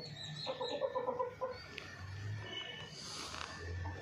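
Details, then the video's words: Chicken in a village setting giving a quick series of harsh, clucking notes over about a second, followed by quieter low rumbling background sounds. "rooster sound"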